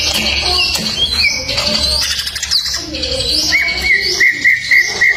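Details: Masteran recording of greater green leafbird song, full fill-in ('full isian') style: mixed slurred whistles and chirps, ending with a fast series of short, identical upturned whistles repeated several times per second.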